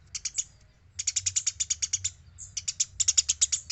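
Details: Eurasian tree sparrow in a lively training recording for other birds; rapid dry high chirps in rattling bursts of about four to twelve notes, broken by short pauses, over a faint low hum.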